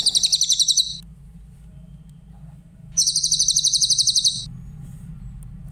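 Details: Clear-voiced grey-headed canary-flycatcher song used to train other songbirds: a brief high, fast-pulsed trill, a pause of about two seconds, then a longer shrill trill, over a steady low hum.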